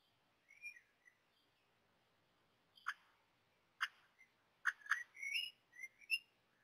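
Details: Common blackbird chicks at the nest during their first feedings, reluctant to take food: soft thin rising and falling squeaky notes, several sharp clicks and brief harsh bursts in a quiet setting.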